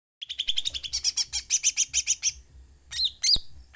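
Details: Sooty-headed bulbul in energetic song: a fast series of about fifteen sharp, evenly spaced chirping notes, then a short pause and a few higher, squeaky, upward-swept notes ending on a brief click.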